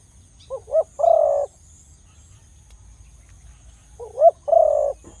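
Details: Big-voiced Khmer dove calling: two quick rising notes lead into a drawn-out, even coo, the phrase given twice with a long quiet pause between.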